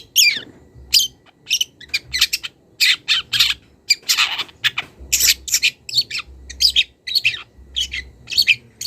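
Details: Young wild long-tailed shrike calling a rival: rapid grating, buzzy bursts and some sliding notes, packed closely together, with a low background hum.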